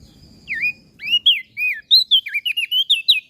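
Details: Masteran song of a common iora and bar-winged prinia, used for training cage birds: a series of loud, high, slurred whistles, some dipping then rising, delivered in quick, uneven bursts over a quiet low background.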